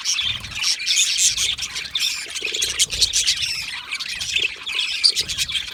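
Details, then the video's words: Budgerigars in a colony, happy and comfortable, chirping and chattering: dense overlapping warbled chirps, squawks and whistles from many birds at once, with faint low thumps underneath. "Australian Budgie singing sounds | Australian Budgie chirping sounds"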